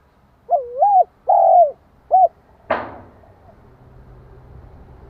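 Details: Spotted dove calling to provoke another dove: three low, hollow coos in quick succession, looping then short, followed by a sharp click or knock and faint background hiss.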